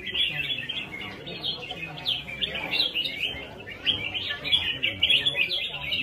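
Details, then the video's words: Red-whiskered bulbul in competitive singing, a dense run of warbling, chirpy notes in quick succession with faint human voices or murmur underneath. "CHÀO MÀO | CB với nết đấu nhịp nhàng"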